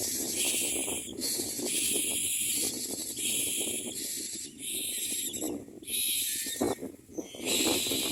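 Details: Common mynas feeding chicks at their nest; a harsh, hissing, wheezy sound comes in near-continuous bursts, each about a second long, over constant low rustling of movement.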